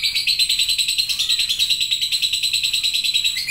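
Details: A lovebird's long chatter, ngekek: an unbroken, rapid, grating run of high pulses, roughly three per second, at an even loudness throughout, with no other sounds.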